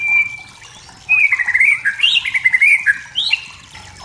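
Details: White-rumped shama from the forest singing to provoke rivals: a thin steady whistle, then a long tumbling warble of quick slurred notes rising and falling, ending in a high upward flourish.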